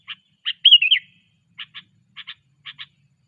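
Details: Sooty-headed bulbul being trained, opening with a single chip, then a liquid, bubbling whistled phrase, followed by three pairs of short dry chips spaced about half a second apart.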